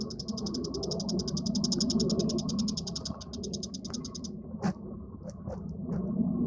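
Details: Long, high, rapid chatter of a bull-headed shrike, evenly repeated sharp notes for about four seconds, followed by a few isolated clicks against a steady low background rumble.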